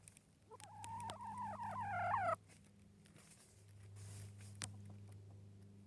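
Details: Yard hen vocalizing inside a little tunnel: a drawn-out, wavering nasal call rising and falling for over a second, then quiet with faint knocks and a steady low electrical hum.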